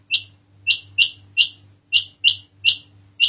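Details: Calling quail giving a quick series of crisp, high chirping notes, about two to three per second with slightly uneven spacing, over a constant faint low hum.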